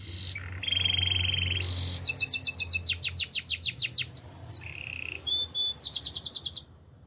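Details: Male canary in full song: a buzzy sustained trill, then rapid series of descending whistled sweeps, a brief low roll, and fast repeated bright notes, each tour changing abruptly.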